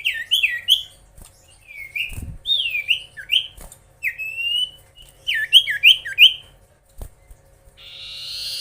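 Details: Common iora (sirtu/cipoh) in lively, chatty song meant to provoke rival birds: a run of sliding whistled notes, rising and falling, some in quick clusters, ending in a rasping buzz; faint low hum beneath.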